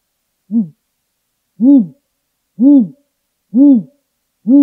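Great grey owl giving a series of five deep, soft hoots, each swelling up and falling away, spaced about a second apart against a silent background.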